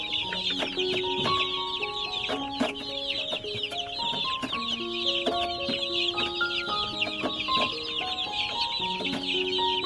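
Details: About a hundred baby chicks chirping very loudly: a dense, continuous mass of high, rapid peeping with no pauses, over steady background music of sustained tones.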